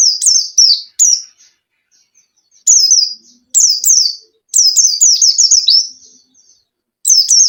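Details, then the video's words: Lure song of a white-eye meant to prompt a reluctant caged bird to sing: high, thin downslurred notes in short bursts, building to a rapid run of repeated descending chirps before a brief pause and another phrase. "PANCINGAN PLECI MALES BUNYI"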